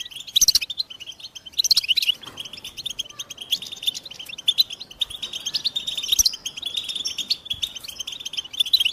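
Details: A lively high-pitched chorus of American goldfinches: quick twittering chirps run without pause, with louder clusters of notes near the start, at about two seconds and around six seconds.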